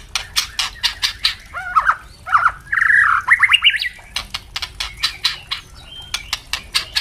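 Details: White-rumped shama, a young bird and an adult singing in an open, ringing style, used to train captive birds: sharp dry clicks and crackles repeated rapidly, with a run of rising and falling whistled notes in the middle.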